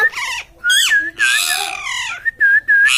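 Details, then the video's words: A talking parrot gives harsh, speech-like bursts mixed with steady whistled tones, ending in three short, level whistles in quick succession, recorded in a quiet room. "parrot is talking"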